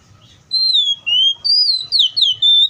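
An Oriental magpie-robin sings clear, sweet whistled phrases, some slurred down and some rising, in five quick bursts over under three seconds.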